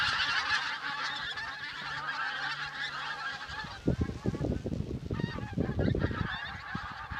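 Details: Pink-footed geese massed at Campfield Marsh, Bowness-on-Solway, giving a constant clamour of overlapping honking calls; from midway, heavy low thumps and rumbling buffeting break in over the flock noise.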